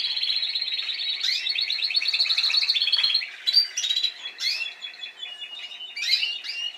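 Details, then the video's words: Spanish timbrado canary from last season singing, a long fast pulsed trill of about two notes a second's worth per beat, then looser chirps and swept notes; young birds are learning to sing. "Canarios Timbrados cantando"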